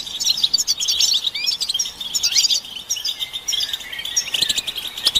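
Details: European goldfinches calling together in a stimulation recording for silent males; rapid high twittering with a few rising whistles and a brief quieter spell before the chatter swells again.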